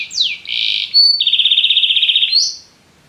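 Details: Singing canary giving a falling whistle, a buzzy note, a short high tone, then a long rapid rolling trill and a final rising whistle.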